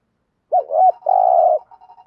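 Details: Spotted dove 'gù thúc' coo for stimulating new doves to call: a quick wavy double coo, then a long steady burry coo, with a quiet tailing note afterward.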